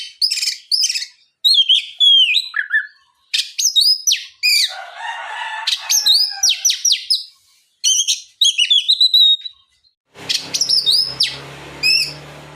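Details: Oriental magpie-robin song used as a lure to prompt other magpie-robins to answer and sing. Loud, varied run of sharp down-slurred whistles, rapid chirps and buzzy phrases in quick bursts, with a rougher noisy stretch near the end.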